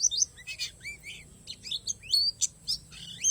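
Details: Oriental white-eye of the palas Borneo type singing with wild-learned phrases: high thin chirps and quick upward and downward slurred whistles, scattered irregularly with short gaps.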